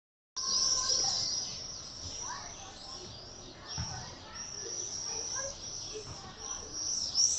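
A screaming party of common swifts: shrill, high, buzzy screams that overlap almost without pause, with a few faint low thumps beneath.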